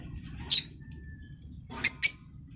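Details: Green personata lovebird, African lovebird, with one piercing squeak followed after a pause by two quick shrill notes, a faint level tone between them, and a low hum throughout.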